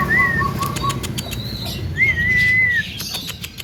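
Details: Mimicking Javan myna gives a quick series of short clipped notes and a brief whistle, then a long level whistled note with a slight rise at the start, with faint clicks.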